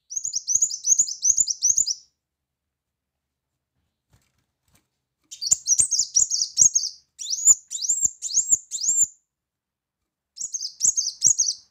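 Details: Brown-throated sunbird in loud 'tembakan' shooting song: fast chattering runs of shrill chirps lasting about two seconds each, broken by silent pauses.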